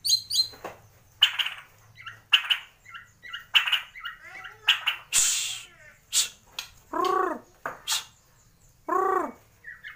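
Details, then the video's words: Borneo white-rumped shama from Kalimantan, Indonesia, a mimic of swiftlet, fighting sparrow and lovebird: scattered harsh rasps and short chirps, broken by two deep arched, gurgling notes. "MURAI BATU BORNEO / GEMBUNG ISIAN WALET ,GEREJA TARUNG ,LOVEBIRD"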